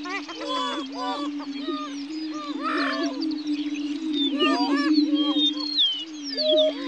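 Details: Greater prairie-chickens, state-endangered, gathered on a lek at Dunn Ranch Prairie in Hatfield, Missouri: a steady low hooting drone from several males underlies a busy jumble of yelping, cackling and whooping calls rising and falling throughout.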